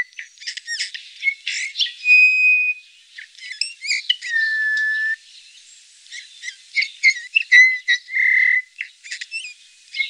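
Eurasian bullfinch: soft, level piping whistles held up to a second, mixed with quick chirps and creaky, twittering notes in irregular bursts.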